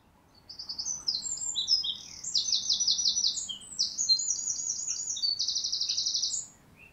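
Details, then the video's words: A wren, a regular garden visitor, sings from a neighbour's tree: a loud, fast, high-pitched song of rapid trills and sharp twittering notes, running nearly six seconds without a break. "Wren Birdsong"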